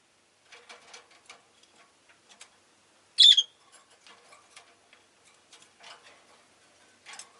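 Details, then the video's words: Pet rosy-faced lovebirds, several in the group calling fairly often: a single loud, harsh chirp stands out midway over steady light ticking and rustling. "この日はみんな割とよく鳴いてました【Lovebird Chirping Sounds"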